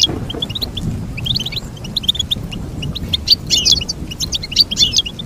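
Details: Goldfinch singing, meant as a model for training goldfinches: quick high twittering notes and brief liquid trills in irregular bursts, growing denser and louder in the second half, with faint low background hum.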